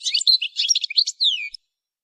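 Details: Goldfinch in song training: a dense, scratchy twittering phrase of about a second and a half closing with a smooth downward-sliding note.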